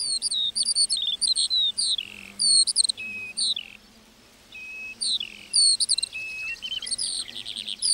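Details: Meadow lark song of quick high chirps and whistled slurs, with a brief silent gap midway before the rapid twittering picks up again.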